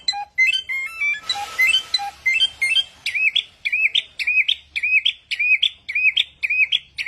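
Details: Bird mimicking many sounds opens with beeping, stepped electronic-like whistles and a burst of scratchy noise, then settles into loud crisp chirps repeated about twice per second.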